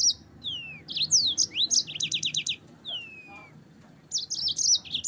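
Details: Yellow-fronted canary song for training caged birds: bright descending slurred whistles alternating with fast chattering phrases of repeated high notes, a short gap, then another burst of rapid twittering.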